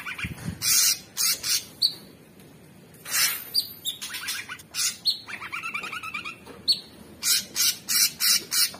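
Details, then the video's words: Loud, repetitive song of a captive orange-bellied leafbird: strong noisy bursts in series, high whistles and a rapid pulsed trill in the middle. "Cucak Cungkok Super gacor"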